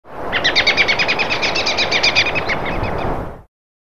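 An American robin gives a fast, steady run of about twenty sharp, high chirping notes over three seconds, against a low outdoor rumble.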